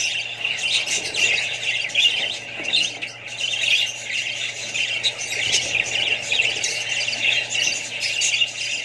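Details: Australian budgerigars kept with other birds and young birds: a dense, continuous mass of chattering, squawking and scratchy warbling notes, with bursts of louder squawks layered throughout, no pauses.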